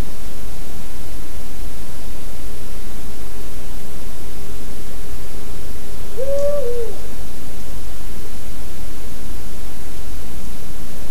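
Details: An owl in woodland at night gives a single short, slightly wavering hoot over a steady, heavy low rumble of night-time ambient noise.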